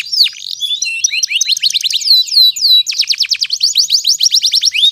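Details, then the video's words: Canary song used to stimulate canaries that have stopped singing or sing lazily, and as a tutor for young canaries aged two to four months. It is a fast run of high, sweeping, rising and falling notes in rapid trills, with a brief pause. "PANCINGAN BURUNG KENARI GACOR ADA JEDA"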